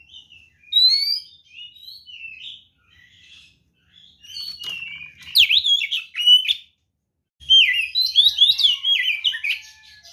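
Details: Provoking fighting song of a white-rumped shama: soft whistled phrases at first, then loud rapid bursts of sharp notes and rich warbled whistles in separate strophes.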